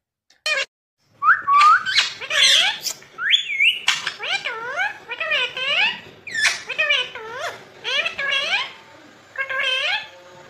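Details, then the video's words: A ringneck parrot kept as a pet, which talks and says 'mummy papa': a long string of squeaky syllables, many rising then dropping, some higher shrill whistles, delivered in uneven bursts with brief gaps. "funny Ringneck 🦜 Parrot Mithu talking mummy papa"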